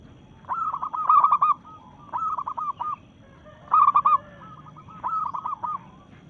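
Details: A local zebra dove in breeding mood sings a challenge to rivals: four rolling, warbled coo phrases about a second apart, alternating louder and softer.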